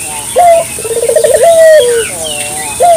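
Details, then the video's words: Clear local dove phrase for luring: a ringing first note, a rapid bubbling trill and a drawn-out falling coo, then the next phrase beginning. "suara burung puter lokal jernih paling ampuh untuk pancingan pagi siang malam"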